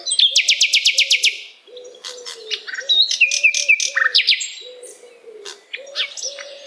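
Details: Common nightingale, locally called sikatan londo, singing vigorously; meant for training other songbirds or for relaxation. A fast, buzzy burst of repeated notes opens, then varied chattering and whistled phrases, over a steady series of low pulsed notes throughout.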